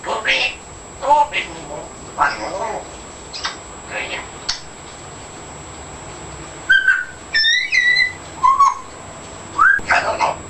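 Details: African grey parrot, 14 months old, saying new words: short speech-like syllable bursts through the first half, then clear whistled rising and falling tones and squeaky notes near the end, in a quiet indoor room.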